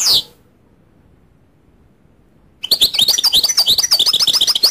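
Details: A single sharp high note opens, followed by silence and then a lively goldfinch song, a rapid run of bright, tinkling, twittering notes repeated several times a second.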